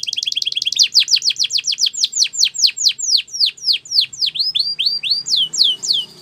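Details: Training song of a Belgian canary, meant to tempt other birds into singing: a very fast trill that slows into evenly spaced falling whistled sweeps, finishing with a few softer rising notes.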